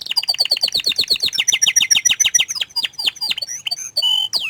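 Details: A bashful canary sings a rapid series of sharp, downward-sweeping notes about five per second, gradually speeding up, followed by a few scattered whistles and a brief rising buzzy note.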